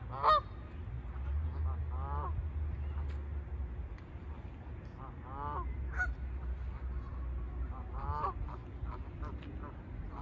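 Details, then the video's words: Canada geese honking while taking off, short harmonic honks scattered every second or two with some overlapping calls, over a steady low rumble throughout. "Canada Geese Discussion Takeoff"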